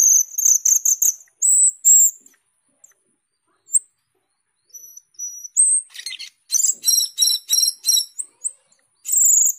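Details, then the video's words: Asian glossy starling, locally cucak keling or jalak keling, in gacor teler form: loud shrill high whistles in quick bursts, sustained piercing tones, then a dense sequence of rasping notes interleaved with sharp whistles. "cucak keling gacor teler atau jalak keling gacor teler"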